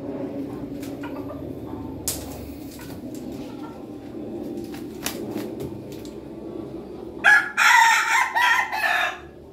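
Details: Ayam Ketawa, the Indonesian laughing chicken, crowing on a Monday morning: after a quiet, hum-filled stretch comes a loud broken crow of several choppy, stuttering bursts near the end, like a chuckle.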